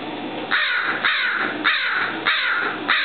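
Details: Captive crow at San Francisco's Randall Museum, living there after injury or captive birth, calls at visitors with a steady run of five coarse, drawn-out caws roughly every half second.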